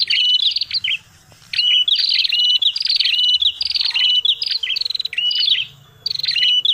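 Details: Lure call of the prenjak kepala merah used for trapping birds: rapid grating buzz runs with upswept whistled notes, several phrases separated by two brief silences, over a faint low hum.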